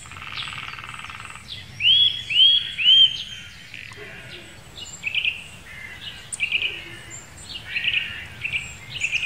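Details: Nuthatch calling in the Wittlicher Senke: three sharp, upward-curving whistles close together, followed by softer, clipped high notes and rustling background noise.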